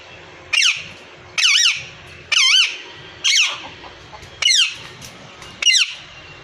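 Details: Parrot, male and female, producing a series of six harsh, undulating squawks, each short and irregularly spaced about one second apart.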